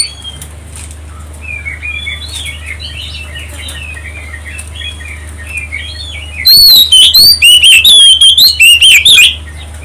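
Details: Oriental magpie-robin song used to provoke other birds: a long stretch of soft, varied chirping whistles, then a burst of loud, rapid, distorted whistled notes and trills for about three seconds.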